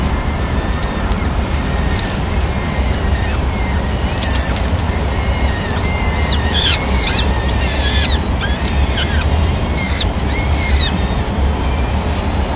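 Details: Peregrine falcon family in Madrid, 25 April 2016: the female arrives carrying a pigeon and calmly feeds the chicks. Quiet rumble at first, then a cluster of sharp whistled calls with drooping ends from the middle onward.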